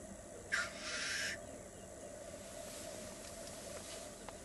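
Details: Black grouse displaying at a lek in Västra Götaland, Sweden. A loud, harsh hissing burst lasts under a second, set against a steady, low, distant bubbling chorus that continues throughout.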